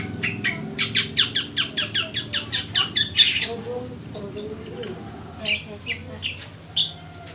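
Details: Eurasian tree sparrow, called burung gereja locally, chattering busily: a fast run of sharp, bright chirps, about two or three a second for three seconds, then scattered softer chirps, over a low steady hum.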